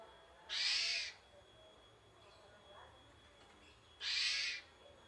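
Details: Javan pied starling basic song, two harsh, buzzy rasps about three and a half seconds apart, each loud and broad, with near silence and faint soft notes between.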